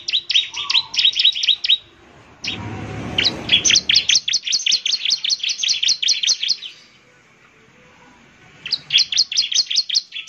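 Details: ['Gacor song of a bar-winged prinia, used to get other prinias replying: dense bursts of high, clipped chirps about two and a half per second, broken by a brief rustling noise and a silent stretch before resuming.']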